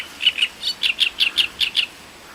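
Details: Great reed warbler in song around Voronezh, Russia, 2012: a short phrase of about nine rasping, grating notes, evenly spaced and delivered fast and loud.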